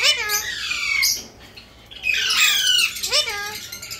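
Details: Alexander talking parrot, Indian ringneck; mix of nasal harmonic squawks and rising chattering notes, some almost voice-like, in two loud bouts with a quiet gap between.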